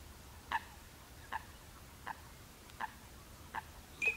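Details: Eurasian teal (Anas crecca), call.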